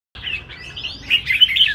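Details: Red-whiskered bulbul singing in a large bird-song competition arena: a short burst of bright, warbling, rising and falling whistled phrases, growing louder toward the end.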